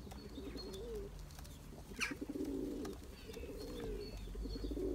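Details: Turkish tumbler pigeons (Taklacı) in a loft, a male chasing his mate to breed; deep, rolling coos swell and fall in long phrases, with a sharp clap near the middle and faint high chirps behind.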